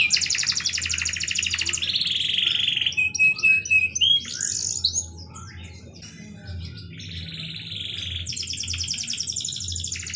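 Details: Singing canary, kenari gacor with melodious cengkok phrasing: loud buzzy rolling trills at high pitch, then a sustained thin whistled note and shifting chirps, before returning to long rattling high rolls.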